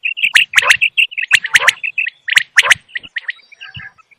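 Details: Wild common quail calling as a hunting lure: sharp, clicky notes in quick pairs and triplets, mixed with short high chirps, repeated in uneven bursts over a few seconds.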